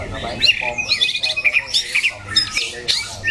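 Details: White-rumped shama, a competition bird with a loud, harsh voice that varies its song, heard in bright whistled and chattering phrases with quick rising and falling notes, partly mixed with low human voices.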